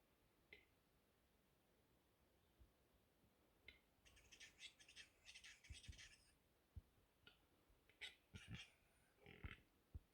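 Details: An agitated Western capercaillie in April 2021 in Lääne-Nigula parish, Läänemaa, Estonia, gives sharp dry clicks and bursts of hissing, grinding scrapes in uneven clusters against quiet background thumps.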